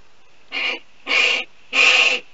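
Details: A California condor gives three breathy, rasping hisses, each longer and louder, about half a second apart. This is at a nesting cave on 28 April 2021, where a breeding pair greet, groom and feed their 18-day-old chick.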